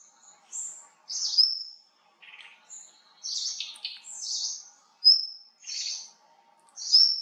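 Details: A small songbird, labelled Indian blue robin but also named Tickell's blue flycatcher, possibly in Sikkim, gives high, thin phrases: sharp upslurred whistles and buzzy, scratchy chirps about one per second, with brief pauses.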